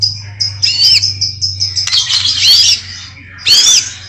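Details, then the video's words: A white-rumped shama gives repeated thin high whistles, broken by three harsh, rasping bursts with upward-sweeping notes. A constant low hum is present throughout. "kicau murai batu.. fuul isiaaan"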